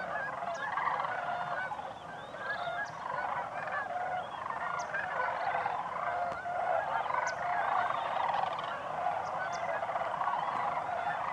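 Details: Massed Sandhill cranes on autumn migration in October at a Wisconsin sedge wetland and prairie, Crex Meadows, with over 10,000 present at peak. A steady roar of many rattling, bugling voices blends into one unbroken wall of sound.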